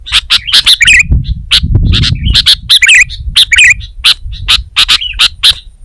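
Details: Sooty-headed bulbul, kutilang, in gacor song: dense runs of crisp chips punctuated by twisting, liquid warbles, and a brief low rumble in the first half.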